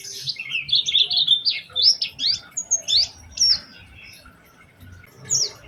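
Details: Oriental white-eye lure song meant to set other white-eyes singing: a varied twittering of high warbled and slurred notes in quick succession, then a pause and one last high whistle.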